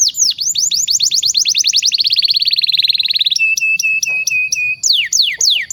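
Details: Singing canary used as a training master for young birds, fast descending trills followed by a series of flat steady whistled notes and final sweeping slurs, with quiet low hum behind.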